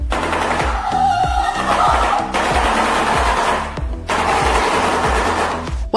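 A shoebill makes a rapid, hollow, machine-gun-like clattering in bursts, partly covered by loud background music.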